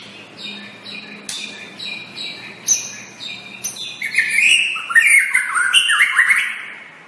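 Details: White-rumped shama tutor song: evenly spaced paired high notes repeated about every half second. These build into a loud, rich cascade of varied whistles, trills and stepped slurs, over a low hum.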